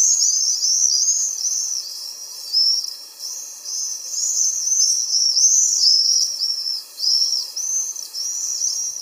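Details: A small group of common swifts flying over on a summer evening gives shrill, buzzy screams in overlapping bursts that rise and fall, with a soft hiss behind them.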